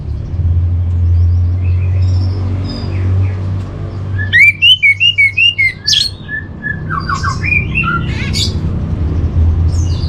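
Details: Training master song of an orange-headed thrush: under a constant low hum, a quick run of clipped whistled notes, then a second looser phrase of twisting, slurred whistles with short gaps.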